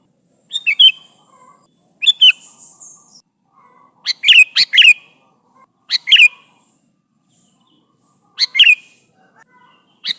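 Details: Sooty-headed bulbul calling its companions, a lively bird recording used as a lure: short bursts of bright chirpy notes, each a quick two- or three-note phrase, spaced about every two seconds over a quiet background.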